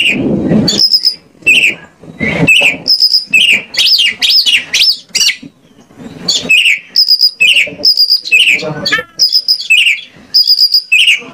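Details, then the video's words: Lure song of the white-rumped shama meant to prompt other shamas to sing: long varied series of sharp whistled notes, high steady tones and rapid up-and-down swoops, dense with brief gaps throughout. "PANCINGAN KACER AGAR ON MAU NGOBRA !! KACER MANAPUN PASTI LANGSUNG NYAUT..."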